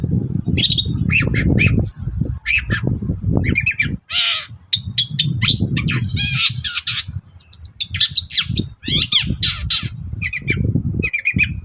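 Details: Long-tailed shrike singing hard in the morning as a lure for other shrikes: a varied medley of harsh squawks, rattles, clear whistles and chatters in irregular bursts, with low rumbling noise between.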